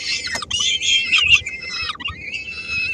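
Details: Three-week-old peregrine falcon chicks and their mother at a Helmond nest, 13 May 2016, during a feeding with a small prey item: loud grating screams at first, then a sustained, thinner wailing note that trails off.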